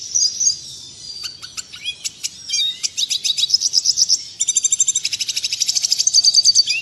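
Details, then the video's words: Clear, clean red siskin song used to tutor caged birds: scattered sharp chips building into rapid rhythmic high trills and a long dense buzzy rattle. "Masteran burung redsiskin suara jernih."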